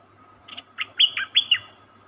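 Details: Cream-vented bulbul, a captured wild bird, giving a short phrase: a brief buzzy chip followed by four loud whistled notes, rising then falling; a steady low hum underneath.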